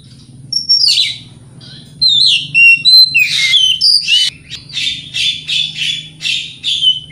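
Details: White-rumped shama singing as bait to trigger other shamas: fast sequence of clear whistles and buzzy, scratchy notes, turning into a rapid run of repeated loud phrases about three per second.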